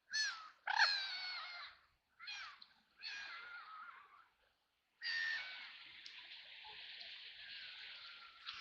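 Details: Ducks on a river in Nottingham during rain, splashing and flapping; several harsh, buzzy quacks in short bursts, then a long drawn-out raspy call.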